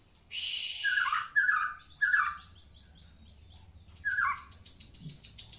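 A white-rumped shama sings rich, slurred phrases with rising whistles, buzzy notes and series of quick descending chirps, given in bursts about a second apart.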